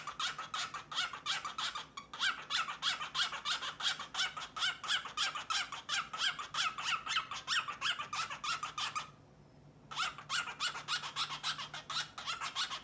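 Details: Courtship display by a grey male cockatiel to a white female, who shows some interest: a long stream of harsh, gurgling 'uju-uju' chatter in rapid bursts, briefly pausing twice.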